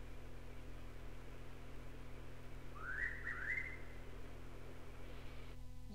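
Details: Noisy (buff-breasted) Pitta in North Queensland tropical rainforest, likely Paluma Range north of Townsville, gives a quick run of three rising, clear, mellow whistled notes over a steady low hum; old cassette recording.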